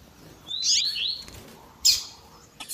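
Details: Double-collared seedeater of the tui tui zel zel style, with a female's calling meant to rouse males: one rising, slurred whistled phrase followed by a short, sharp, high burst.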